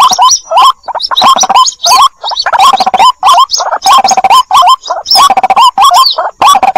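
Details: Lure recording of White-breasted waterhen young calling for the mother bird: rapid chattering clusters of hoarse, bent notes, repeated in tight runs with short gaps, some thin high squeals above.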